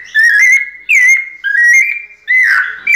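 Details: White-necked thrush, a caged ringed bird, in pianado song: four long, fluty whistled notes, level or gently sliding, each starting abruptly and separated by short gaps.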